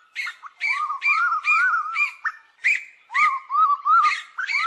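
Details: Asian koel calling the flock, giving a fast series of short arched whistles, each rising then dropping, mixed with sharper clipped notes, in two bursts separated by a brief pause.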